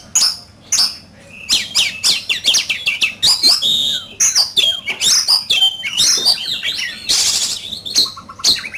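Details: Oriental magpie-robin singing fiercely in a singing duel: a rich, fast medley of clear whistles, slurred rising and falling notes and harsh buzzy bursts, mostly high-pitched, with brief pauses between phrases.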